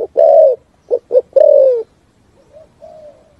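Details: Spotted dove giving the 'thúc gù' cooing song in the forest: a long, low coo, then two short clipped coos and another long, gently falling coo, followed by softer fading notes.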